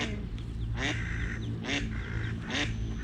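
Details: Eastern spot-billed duck mother leading small ducklings at dawn during a cat attack on two chicks; three coarse, nasal quacks spaced under a second apart over a steady low hum.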